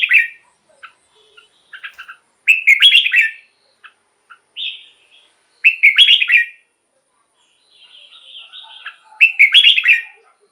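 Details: Red-whiskered bulbul kept in a cage, its song meant for rousing other caged birds: four rich warbling phrases roughly three seconds apart, with brief scattered chirps and a thin whistle between them.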